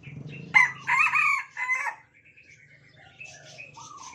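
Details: Hand-raised Sumatran Red Junglefowl in a shared cage. A loud, harsh crow in three or four bursts is answered by thinner, fainter crows in the background over a low hum.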